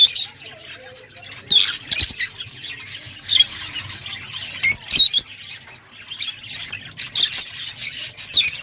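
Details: Lovebird chattering with harsh, shrill squeaks and chirps in irregular quick bursts, some sharp single notes among busier runs.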